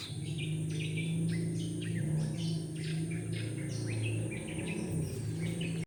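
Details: Morning chorus of many birds in a neighbourhood, heard instead of roosters crowing: dense overlapping chirps and short whistled phrases from several birds, over a loud steady low hum.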